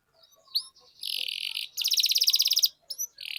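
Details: Softer canary song used to stimulate singing in other canaries: a few thin whistled notes, then two dense buzzy rolling trills separated by a short pause, with a last rising note and roll.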